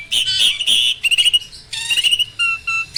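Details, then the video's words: Mature male Asian pied starling in peak breeding condition, singing energetically: a varied run of loud clear whistles and slurred notes mixed with harsh buzzy bursts, ending with two steady repeated whistled notes. "BURUNG JALAK GACOR MOMPA-MOMPA!!! JANTAN TULEN."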